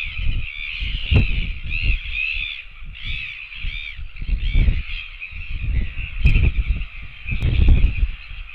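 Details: Begging royal albatross chicks on a nest camera, 24.09.17: a run of short, arched, nasal calls, some doubled, over constant low wind roar and gusty thumps.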